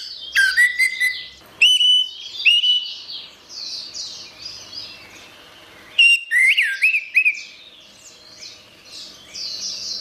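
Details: Orange-headed thrush in gacor song. Bold rising and falling whistles with sharp clicks arrive in two clusters several seconds apart, while soft high twittering carries on throughout.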